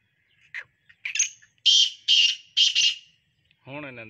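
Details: Black francolin (kala teetar) calling: a short opening note, then four loud, harsh, rasping notes in quick succession over about two seconds. A man's voice follows at the end.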